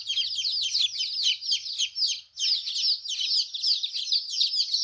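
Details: Colourful newborn hen chicks peeping on a farm: a thick stream of high chirps, briefly thinning near the middle before the overlapping chorus resumes at full strength.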